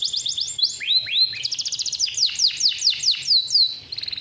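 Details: Captive male canary delivering its long roll, used as a master song for young canaries: quick trilled notes, two rising swoops, then an extended run of descending whistles about five per second, ending in a short buzz.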